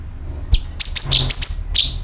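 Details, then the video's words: Lure recording of sooty-headed bulbul calls with nyeret phrases meant to draw in birds: a rapid run of five or six bright, high chirps, each ending in a slurred downward note, with a faint low background hum. "CUCAK KINOI ||PANCINGAN PALING AMPUH TERBUKTI PASTI IKU BUNYI SUARA PANGILAN + NYERET"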